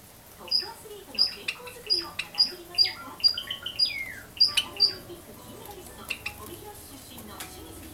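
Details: Java sparrow chicks, 24 and 26 days old, kept as pets and filmed from about 20 cm during feeding by a parent. About nine sharp, high notes come in an irregular series, some of them slurring downward, with faint rustling and low sounds below.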